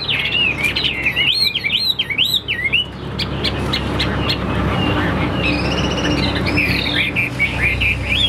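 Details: Chinese hwamei in a cage, Vietnam, a fighting bird spreading its wings and standing tall. Strongly modulated swooping whistles open the clip. Broad rustling noise then fills the middle before high looping song phrases return.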